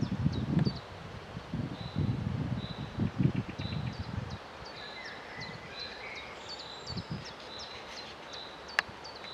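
Moorhen chicks give thin, high peeps, several each second, some with a quick upward flick. Low rustling and handling noise fill the first few seconds.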